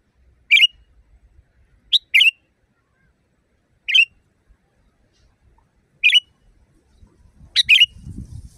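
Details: Loud wild sooty-headed bulbul used to train caged birds. Short sharp whistled phrases, single or doubled, come every one to two seconds against a quiet background, with a soft low rumble at the end.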